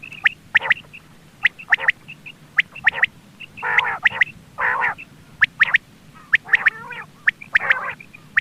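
Quail give sharp, clipped notes mixed with harsh, squawky bursts and a wavering, nasal call, coming in quick irregular runs from several birds.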